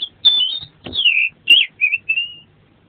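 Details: Oriental magpie-robin, a tutor recording of lively song full of varied phrases: descending whistles, a short warble and two steady whistled notes over light background noise.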